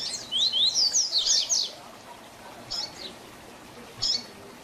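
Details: Training song of the double-collared seedeater, 'Tui Tui Zel Zel' differentiated style, meant for young birds to learn. It opens with a fast, bright series of about ten sharply slurred high notes, followed by two lone chirps.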